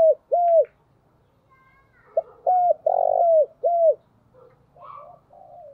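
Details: Spotted dove calling as a decoy: two clipped, arching coos, a pause, then a loud phrase of short coos, a long purring hum and a falling final note, with soft murmurs afterward.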